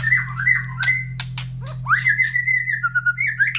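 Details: Caged white-rumped shama brought close to other breeding birds that answer loudly after feeding: level whistled notes broken by harsh rasps, then a long sustained whistle with quick trilled pulses, low hum constant.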